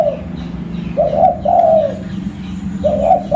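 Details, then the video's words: Zebra dove, a local lure bird at Busu Reului in Aceh. Its purring, quavering coos rise and fall in short bursts, three phrases in about three seconds. A low background hum runs underneath. "Burung Perkutut Lokal Pemikat Suara"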